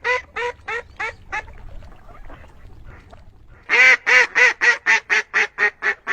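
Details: Duck calls: five quick nasal quacks, a quiet gap of low rumbling background, then a loud, steady run of about ten harsh quacks at a brisk pace.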